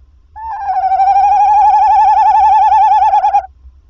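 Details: Tawny owl calling at the nest around 21:50 as the male brings a mouse. A single long, vibrato-like trilling note of about three seconds, evenly pulsing, clear and close.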